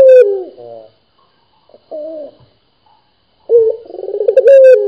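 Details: Local dove (puter) in vigorous 'gacor' voice: a low, rolling, throaty coo that slides downward, then a pause, a short coo, and another long burbling phrase. Quiet room, no other sounds.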